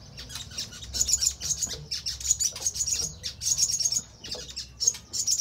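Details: Crimson sunbird giving repeated bursts of very high, rapid, sparkling trills and twitters, used as a lure to make other birds respond and sing.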